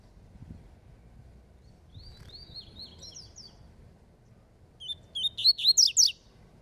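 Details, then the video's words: Double-collared seedeater of the Falcone song style, singing in a contest with a rival. A soft, high twittering phrase comes first, then a loud burst of about six rapid, sharp, buzzy notes near the end. "COLEIRO FALCONE DISPUTANDO"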